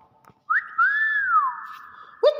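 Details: A pet common hill myna mimicking human speech ("wow keren", greetings) gives a clear, drawn-out whistled phrase that arches up then slides down like a word, ending with a sharp note.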